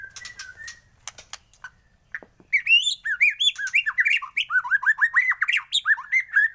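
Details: Morning lure song of a white-rumped shama: after quiet scattered chirps, a loud burst of rich looping whistles, each note swooping up and down, delivered in quick succession until the end.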